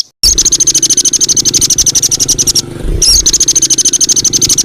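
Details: Songbird tutor track of varied fill-in material: a fast, steady stream of high, piercing repeated notes, briefly interrupted near the middle, over a low rumbling background.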